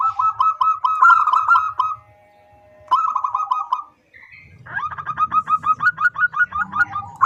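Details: A female zebra dove calling a male gives rolling series of quick cooing notes, pausing between bursts, with a faint low hum under parts of the calling.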